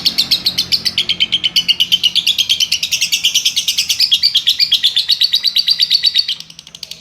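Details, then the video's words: Long continuous ngekek chatter from a lovebird: rapid high buzzy notes, about seven a second, running for over six seconds before fading out. "Love Bird Ngekek"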